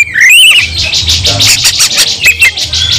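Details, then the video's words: White-rumped shama, called kacer, fighting song: high whistled slurs and harsh buzzy bursts, loud and dense, with a faint low hum beneath. "kacer langsung KONSLET tarung ngotot full emotional"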